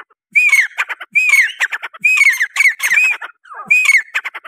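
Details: Grey francolin (teetar) calling in loud, ringing phrases, each opening with a rising-falling whistled note followed by a rapid rattle of harsh clicks, phrases coming about once a second.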